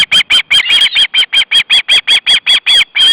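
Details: {'caption': 'Hungry osprey young at a nest in Estonia, August 2012, begging while the male delivers fish; an unbroken, insistent series of sharp, high squealing calls, about four or five per second for three seconds.'}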